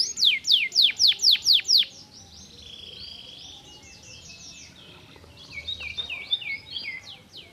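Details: Canary singing: a burst of loud, steeply falling whistled notes repeated about six times per second, then a quiet rapid trill, ending with louder rolling swooping phrases.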